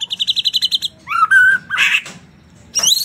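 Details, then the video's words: White-rumped shama of the Bornean 'gembung' type in vigorous song rich in varied phrases: a fast burst of about ten clipped rhythmic notes, then a loud slurred rising whistle, a rough buzzy note, and a final sweeping whistle. "MURAI BATU BORNEO/MURAI GEMBUNG GACOR ISIAN MEWAH"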